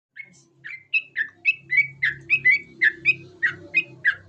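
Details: Sooty-headed bulbul singing: a quick series of short, bright, slurred notes, about three per second, with a faint low hum underneath.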